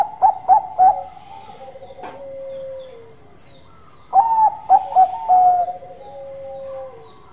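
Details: Bangkok-type zebra dove in lively song: loud repeated staccato coos, a long falling purring coo, then another burst of sharp coos and a trailing rolled note.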